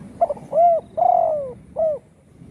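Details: Spotted dove with a broken wing from a hunter's shot, now singing indoors at home; a single clean phrase: a brief lead note, a rounded coo, a long slowly descending coo and a short final coo.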